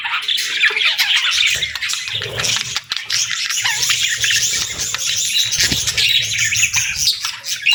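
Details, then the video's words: Group of budgies chirping and chattering without pause, a thick blend of squeaky notes and quick twitters. "Budgie Chirping Sounds"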